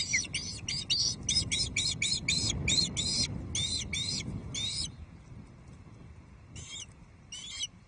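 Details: Loch Arkaig Osprey female calling on 5 May 2023 while awaiting a fish: rapid strident piping notes for about five seconds, then a lull with two short bursts, against a background rumble of wind.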